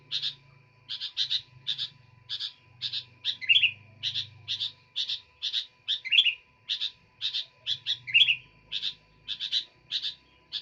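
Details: Sooty-headed bulbul singing nonstop: short bright double chips repeated about twice a second, broken now and then by a louder slurred rising note, over a steady faint electrical hum and a low rumble.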